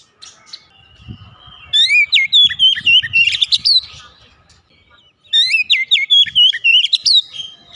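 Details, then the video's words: Kept Oriental magpie-robin singing two long bursts of varied, slurred whistles and quick trills, with low tapping or knocking sounds beneath the song. "terapi cepat mengatasi Kacer rumahan susah bunyi lekas gacor"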